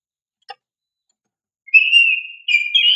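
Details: Oriental magpie-robin lure song: after a faint click, a long, level whistle leads into a rising, warbled flourish.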